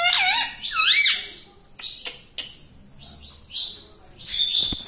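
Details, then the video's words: Rose-ringed parakeet kept as a talking pet, said to say "mummy": two loud wavering harmonic syllables open, then fainter clicks and soft squeaky, whistled notes. "Talking Parrot Mitthu Mitthu Tota || Mummy Mummy Bolne Wala Mitthu || pattu Parrot Talking"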